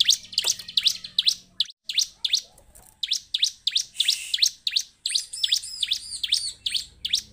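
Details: Bar-winged prinia song used as a lure recording to prompt captive birds to sing: a rapid run of sharp, high chirps, roughly three per second, with a short gap early on, then quicker paired notes toward the end over a faint low hum.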